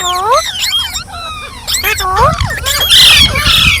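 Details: Green parrots talking, several curving, harmonic calls and chattering phrases rising and falling in quick succession, with a louder burst of squawks near the end.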